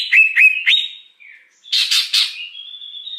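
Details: Wild greater green leafbird singing, a recording used to lure wild birds. Three bright whistled notes with sharp downward flicks, a pause, then harsh buzzy bursts that trail into a thin, steady high whistle.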